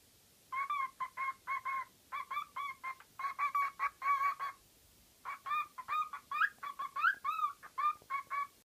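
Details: Pet bird making a variety of noises, repeating short honking squawks in rapid series, with a few rising and twisting notes in the second half and a quiet background.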